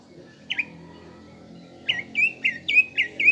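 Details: Caged greater green leafbird lure song to stir a fighting mood: two short chirps, a pause, then six rising-falling whistled notes repeated about every quarter second.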